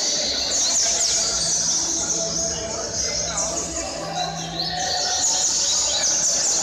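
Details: A pet Double-collared seedeater sings a fast, dense stream of high, sweet twittering notes with quick trills, over a low steady hum.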